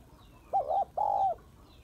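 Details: A female spotted dove calls to rouse males, giving a brief coo and then a longer even hoot that drops away at the end. The background is quiet.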